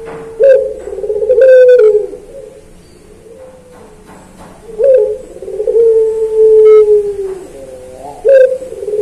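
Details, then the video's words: Puter pelung turtle dove, training recording for songbirds: low, resonant coos with a brisk start and a long sagging tail, spaced irregularly, accompanied by brief rattling clicks. "Masteran Puter Pelung Manggung Atau Berbunyi"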